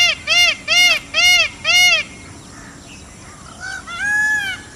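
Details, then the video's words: Indian peafowl in India giving a rapid series of five short, nasal, arched calls about two per second, followed by softer, fainter wails against a noisy background. "peacock's sound"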